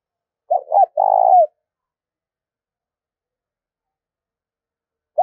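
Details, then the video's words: Spotted dove cooing, recorded for stimulating and training decoy birds: two short low notes, then a longer, rough, vibrating note ending with a downward slur. Long silence follows, with the next phrase starting right at the end. "tiếng chim cu gáy thúc và gáy gọi dùng kích bổi tập mổi"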